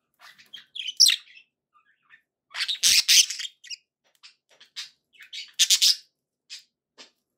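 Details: Pet budgerigars, described as happy, giving short bursts of high chirps and scratchy squawks between brief pauses, some notes sweeping upward, with a few louder broadband chatters.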